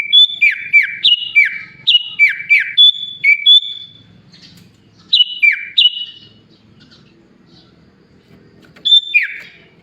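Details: A sooty-headed bulbul delivers a song built from borrowed songs of Sunda pied chat, green leafbird and Asian pied starling: a rapid string of bright whistled notes that drop in pitch, two pauses, then brief repeats of the same downslurred phrases.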